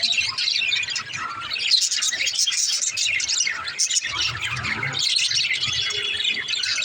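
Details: In her nest pot, a mother budgerigar chatters with continuous high, gravelly chirps and warbles, loud and unbroken, with a faint low hum.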